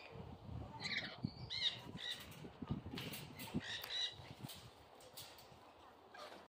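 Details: A black lory at North Zealand Bird Park, a countryside animal park in Denmark, gives harsh, squawky chirps and wheezy notes in irregular bursts, mixed with low rustling and handling noise.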